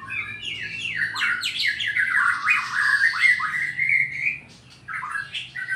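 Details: Sarawak, Borneo White-rumped shama delivering rapid kecor song to challenge a rival: fast slurred whistles tumbling together into a long run, then a short quiet gap before more notes.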